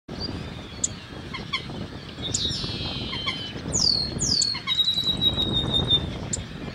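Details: A White-cheeked pintail in Peru gives high whistled notes sliding downward in short bursts, ending in a long thin whistle, over a steady rushing background.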